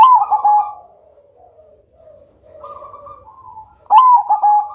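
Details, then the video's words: Black cemani zebra dove of the Majapahit line, kept as a lure with a thick, loud, melodious voice. A bright opening note leads into soft rolling coos. A lower trailing phrase fades out, and a fresh loud phrase begins near the end. "Perkutut Hitam Majapahit Suara Tebal Lantang Aduhai Irama Syahdu Cocok Buat Pancingan"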